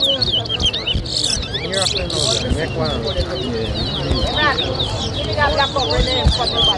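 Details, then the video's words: Chestnut-bellied seed finch (local name towa towa) sings in a whistling competition at Lusignan, Guyana, 2023: dense, lively high chirps and looping whistled phrases throughout, backed by music and people's voices. "TOWA TOWA BIRD WHISTLING COMPETITION"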